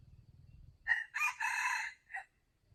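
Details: Rooster crowing with a harsh, strained cock-a-doodle-doo: a short opening note, then a long drawn-out middle phrase and a brief clipped ending, after faint low rumbling.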